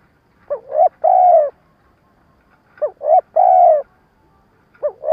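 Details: Spotted dove decoy bird in the stuttering cooing style used to draw in wild doves for trapping. Two short coos then a long drawn hoot, a phrase repeated about every two and a half seconds, over silence.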